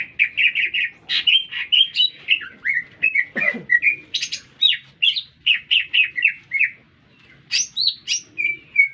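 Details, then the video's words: Green leafbird in lively continuous song amid a city: an unbroken rush of rapid, varied whistles and chirps, a brief low thud midway, a pause, then high sweeping notes and a final flat whistle. "Cicak Ijo Gacor Bikin Meledak Suasana"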